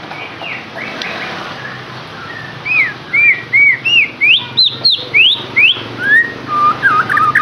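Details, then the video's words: Lure song for a captive white-rumped shama: a string of clear whistled notes, rising and falling, each slurred and loud, delivered about two per second, ending in quicker varied phrases. "KICAUAN UNIK Cocok untuk pancingan murai batu AGAR LANGSUNG GACOR dan NGEPLONG"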